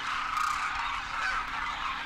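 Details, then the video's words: Demoiselle Cranes in a massive winter flock over Rajasthan, India, adults and first-year young, calling in flight; a short burst of thick, overlapping trumpeting notes merges into one continuous roar. "Demoiselle Cranes darken the sky, trumpeting in flight"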